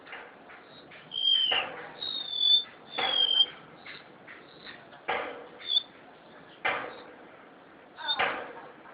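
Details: Crested honeyeater, a bird found across Java, singing in captivity: piercing high whistles sliding downward, delivered in brief phrases, punctuated by heavy thumps and rattles from the cage.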